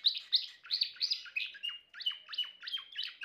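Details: Timbrado canary song: bright repeated chirp notes at a steady quick pace, about three per second, mixed with a thin sustained whistled tone running beneath the later notes.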